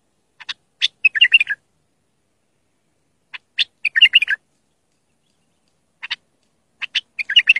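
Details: Clear bulbul song meant to teach young birds or a bulbul that will not sing: a short phrase of sharp clicks then warbled notes, repeated three times with pauses of about two seconds.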